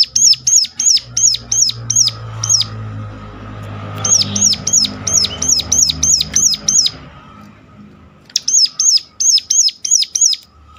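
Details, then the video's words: Ciblek gunung (Sunda warbler) calling sharply to prompt other birds to sing. Three long runs of rapid, high, peaked chirps, roughly three per second, with short gaps and a faint low hum behind. "ngecall tajam ciblek gunung"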